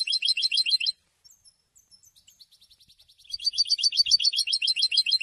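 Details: Goldfinch song, used to announce presence and attract females: a fast, bright rattle of high twittering notes, a near-silent gap with faint scattered chirps, then the rapid twitter resumes more loudly.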